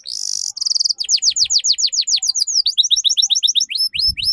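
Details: Young canaries learning ngeriwik are tutored with this song: a dense, high buzzy trill shifts into a long sequence of fast, steeply falling chirps, several each second.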